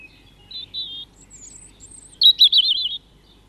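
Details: European robin song recorded at RSPB Leighton Moss: a short phrase of high, thin warbled whistles, a very high faint squeaky run, then a loud burst of rapid tumbling trilled notes before fading.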